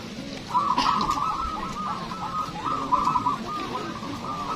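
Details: Local zebra doves at a singing competition, heard as bright, rapid cooing trills in phrases repeated about every second, with overlapping callers and a low background hum.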